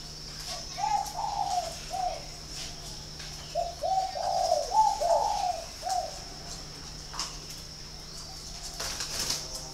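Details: Spotted dove from a dove-keeping garden in Ba Vì, Hanoi, Vietnam, giving low soft coos in short clustered bursts, around one second, two seconds and four to six seconds, over a steady low hum and a faint high background tone.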